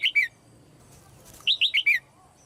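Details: Female red-whiskered bulbul calling from a cage to trigger song in other birds: a pair of quick chirps, then a run of four bubbly descending notes, fairly loud against quiet hum.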